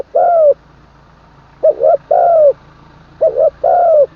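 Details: Decoy-trained spotted dove, third session, delivering full middle-pitch crows ending in kuk: a long coo, then two phrases of a choppy double coo and drawn-out falling coo, over a droning engine-like hum.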